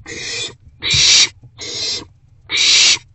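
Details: Wild owl calling from its nest box on a March 2024 evening during rodent deliveries. Four loud, raspy hisses, each roughly half a second long, are separated by brief pauses. One soft knock sounds near the second hiss.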